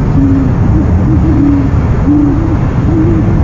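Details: Owl on a nest camera, recorded at 1:44 pm on 13 January 2015; low hollow hoots in short, slightly wavering phrases, about three across the stretch, over a steady low rumble of background noise.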